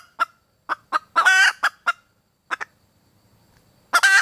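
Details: Red junglefowl hen, calling for a mate: a few brisk clucks lead into one long harsh squawk, more clucks follow, then a pause and a final squawk at the end.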